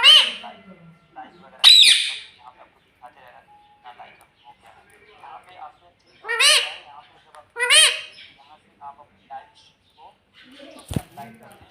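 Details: Pet rose-ringed parakeet talking, said to repeat "mummy": a few loud, harsh, arched calls with stacked tones rise and fall, separated by soft chattering and clicking, and there is one sharp knock near the end.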